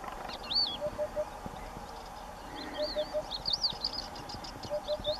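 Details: Eurasian hoopoe on a ruined house wall in sunshine, singing low, hollow triple hoots in even bursts roughly every two seconds; higher-pitched chirps and twitters from other birds overlap the phrases.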